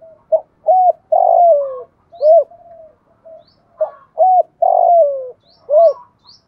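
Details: Cooing decoy spotted dove meant to provoke wild doves to answer: two full phrases, short soft coos rising into a drawn-out downward-sliding coo, with faint high chirps from another bird.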